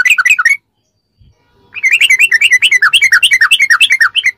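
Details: Sooty-headed bulbul ropelan song, used to train captive birds: a short bubbly phrase, a pause, then a long, continuous run of rapid, liquid whistled notes that rise and fall.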